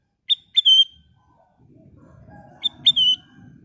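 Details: Sooty-headed bulbul, locally kutilang emas, singing as a lure for other birds: two matching phrases of crisp rising notes ending in a long level whistle, separated by a brief gap, with soft low background noise.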